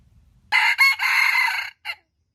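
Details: A wild junglefowl kept as a trapping bait bird gives one loud, harsh crow: two quick opening notes, a long strained middle note and a short clipped final note, all within about a second and a half.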